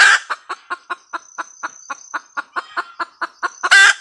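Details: Hen red junglefowl cackling, framed by a loud harsh squawk at the start and end, with about sixteen short clucks in regular rhythm between them and a faint high hum.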